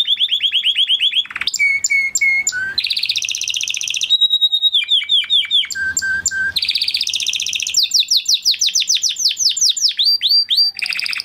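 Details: Spanish Timbrado canary, crested, from 2020 breeding in a flock, giving training song: varied rolling trills, short repeated whistles, rapid downslurred notes and metallic rattles in continuous succession.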